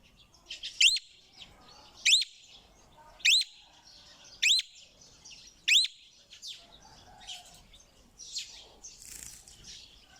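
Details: Parrot giving loud, high, hooked chirps repeated about every 1.2 seconds, five in a row, followed by quieter scattered twitters and chatter.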